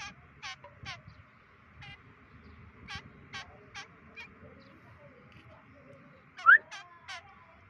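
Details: A kekep (white-breasted woodswallow) on its 25th day of free-flight training calls a loose series of about ten harsh, buzzy nasal notes, then a loud rising slur with two more rasping notes, over a steady hum.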